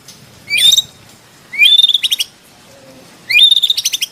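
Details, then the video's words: White-rumped shama song from an Indonesian tutor recording with rich varied fill and full 'shot' phrases: a rising whistled slur flowing into a buzzy flourish, then a fast stuttering trill of even notes, repeated after a pause. "MASTERAN MURAI BATU ISIAN MEWAH MATERI FULL TEMBAKAN KOMPLIT TANPA BATUK BATUK"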